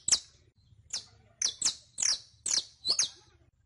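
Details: Saffron finch, a caged bird on a training recording to teach singing: six bright, high descending chirps, spaced roughly half a second apart, with faint low rumble beneath.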